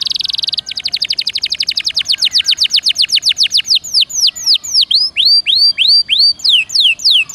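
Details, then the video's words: Singing canary as a prompting recording for caged birds: brief buzzy trill, then a long run of quick repeated down-slurred notes that slow into broader looping sweeps. "Suara Burung Kenari Gacor Dor Nembak Untuk Pancingan"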